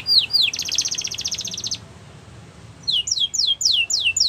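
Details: Canary training song: two whistled notes, then a rapid buzzy trill lasting over a second. After a short quiet pause comes a series of clear downward-sweeping whistles.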